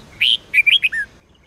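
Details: Single phrase of red-whiskered bulbul Sông Kôn style song, for training: a rising whistle, then quick warbled notes ending in a lower, falling whistle.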